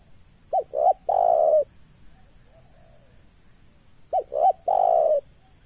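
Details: Spotted dove calling at a trapping site where wild doves are lured: two low, mellow three-part cooing phrases about three and a half seconds apart, each two quick short coos followed by a long smooth one.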